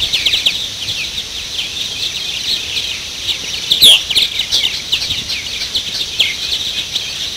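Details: A colony of purple martins (Progne subis) at the Maurice River chatters: a steady, overlapping stream of high chirps, creaky gurgles and twitters, with one louder, sharper note near the middle.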